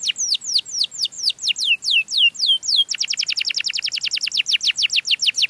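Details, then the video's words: Melodious canary song used to lure other canaries. Evenly spaced, high, down-slurred notes give way to a much faster rolling trill of short sweeps, loud and clean. "suara burung kenari yang merdu untuk pancingan burung sejenisnya"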